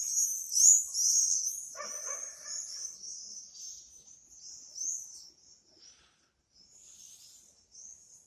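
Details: Swifts in full cry: piercing, rapid screaming trills, loudest in the first seconds and then fading in waves with short gaps. A brief lower, rougher burst sounds near the two-second mark.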